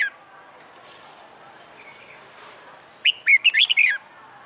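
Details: Red-whiskered bulbul, a wild-caught cage bird in fighting song training: after three quiet seconds, one crisp phrase of about six fast rising and falling whistled notes.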